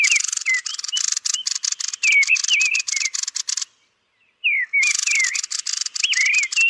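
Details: Thrush (Turdus) calling at its roost: dry, rapid rattling ticks in bursts, threaded with thin, wavering whistled notes. A short silent pause falls midway, then the chatter and whistles resume.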